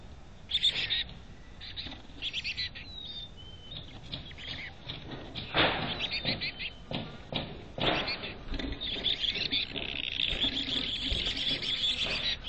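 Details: Chickadee at a nest box in North Vancouver: thin, high chirps and short tweets come in scattered bursts, with scratchy rustling and tapping from movement inside the box throughout.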